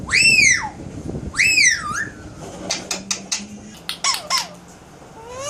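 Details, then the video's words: Pet Alexandrine parakeet indoors giving two loud arched harmonic squawks, then a run of short clicks and sharp sound-effect notes with a faint low hum beneath. "Leo talking and sound effects"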